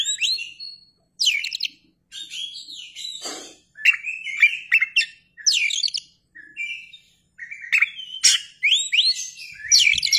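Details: Kacer, white-rumped shama, performing with tail open: a long varied song of loud twisting whistles, trills and sharp chips in repeated bursts with short gaps.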